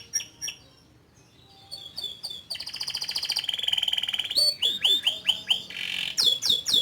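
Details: Canary in long continuous song: scattered chirps build into a fast buzzing trill, then a series of loud downward-sweeping whistles repeated about twice a second, with soft background noise.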